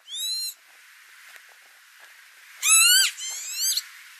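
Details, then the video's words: Northern lapwing recorded in May 2018 over tulip fields at Noordwijkerhout, Netherlands: a brief nasal cry, a pause, then a loud rising-falling wheeze followed closely by a thinner drawn-out note. "Northern Lapwing - Kiebitz - Vanellus vanellus - calling"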